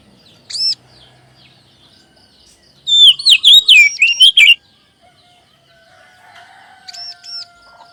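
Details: Oriental magpie-robin song meant to make kept birds sing readily: one arched high note, then a dense burst of fast, twisting whistled notes, then quiet, closing with paired arched notes.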